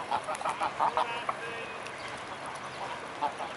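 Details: Mute swan flock at Blaues Wunder, 25 May 2016 at 15:27, with a quick run of four or five loud nasal honks at the start, then quieter scattered calls.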